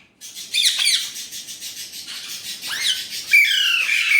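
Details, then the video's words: Indian ringneck parrot, said to talk in Urdu/Hindi, makes continuous high, strained, scratchy calls with downward sweeps, ending in a sustained shrill note. "Indian ringneck parrot amazing talking parrot"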